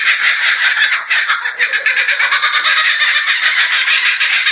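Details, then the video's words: A Kookaburra gives a loud, raucous cackling laugh: rapid, harsh chattering notes repeated several times a second, unbroken for the whole stretch. "Kookaburra Sound"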